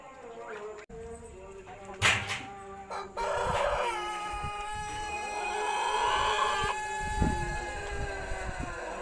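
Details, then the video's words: ['Jumbo pelung rooster from a champion bloodline, crowing after moulting while suffering from ngorok (snoring breath), its crow altered. Brief sharp knocks open, then one very long, steady, harmonic-rich drawn-out crow that is held for about six seconds.'] "Kokok ayam pelung jumbo trah juara pasca mabung dan ngorok"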